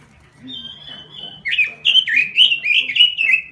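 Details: Robin lure song, full and lively, used for luring and as a master tune: after a faint start, a loud run of warbled, rising-and-falling whistled phrases repeats rapidly for two seconds.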